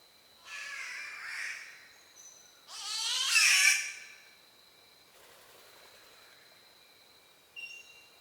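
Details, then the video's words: Spotted catbird in Australia uttering two strange, strained cat-like yowls in quick succession, the second louder and harsher, followed by a faint distant wail and a short high note, with a steady thin insect tone throughout. "The weird sounds of Catbirds"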